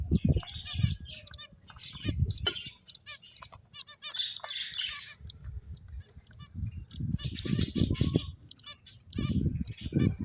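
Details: Finches at play chirp busily: bursts of sharp, high twittering notes come in clusters, alternating with low fluttering and thumping noises from moving birds.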